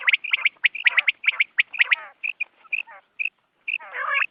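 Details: Morning quail calling, meant for hunting use. Dense runs of clipped, high notes tumble together, then thin out into separate whistled pips. A harsh, buzzy chatter closes the sequence.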